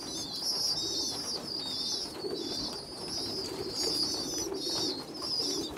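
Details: Young pigeons as a small weak youngster feeds bigger ones: high wavering squeals repeat in bursts about every second, with low cooing underneath.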